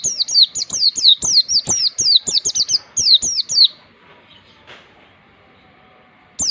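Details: Master song of an Oriental white-eye for tutoring young birds toward forest-style singing: a rapid run of high downslurred whistled notes, roughly two per second, for almost four seconds, then near silence before one more note.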